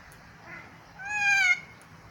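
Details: Kea at a zoo giving one loud, harmonic screech of about half a second that slides slightly downward, preceded by a fainter, softer call; low background hum throughout.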